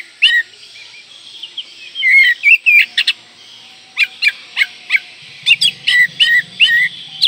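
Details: Oriental magpie-robin singing a fully filled, varied song to rouse breeding urge and anger rivals: clear, loud whistled notes and sharp chirps in spaced bursts, with a faint low rumble near the end.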